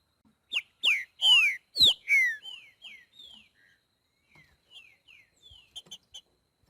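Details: Green-winged saltator singing the boiadeiro song style in nature: five loud, slurred whistles, several sweeping downward, within the first two and a half seconds, then a run of softer, short falling whistles and faint chips.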